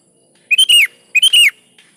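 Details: A sooty-headed bulbul in full, steady song, the kind played to lure other kutilang into singing. It gives two bright whistled phrases about 0.7 seconds apart, each of three quick notes that rise and then dip, in a quiet background.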